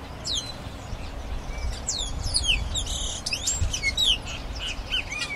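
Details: Grayish baywing song of overlapping, rapid high slurred notes and short buzzy bursts, several notes sounding at once, over faint low noise.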